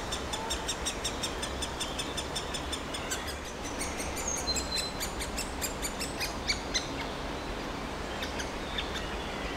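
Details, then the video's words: Impatient, very hungry woodpecker nestling, recorded 24 May 2021, begs with a fast, steady run of harsh, high chirps, about three a second, with a thin whistle over low background noise. "impatient and very hungry woodpecker baby"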